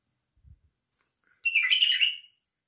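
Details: Song of a white-eared bulbul: one bright, bubbling phrase of rapid slurred notes lasting under a second, preceded by a few soft low thumps, otherwise quiet.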